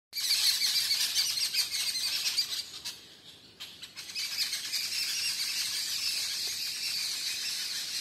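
Jungle babblers give harsh, squeaky chattering calls in fast, overlapping bursts. There is a brief lull near the middle before the noisy group chatter resumes.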